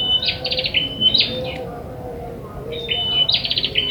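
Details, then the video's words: Ashy tailorbird, a wild recording used as a trapping lure: a high level whistle runs into quick stuttering bursts of notes, in two bouts separated by a short pause, with a faint lower murmur of background noise. "Pikat Prenjak kepala merah materian dari alam"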